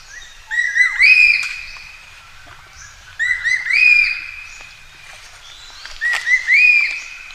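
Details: Common green magpie calling for a mate, its clear whistled phrase repeated three times about every three seconds, each a few short notes leading into a rising, sustained whistle. The background is quiet.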